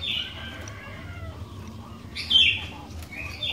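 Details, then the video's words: Sooty-headed bulbul used as a song lure for other bulbuls: a chirpy phrase at the start, a quiet gap, then a louder burst of bright notes and a final short phrase, with low background hum. "Kicauan Kutilang Gacor DOOR, Jagonya Buat PANCINGAN, 100% Pasti Langsung BUNYI"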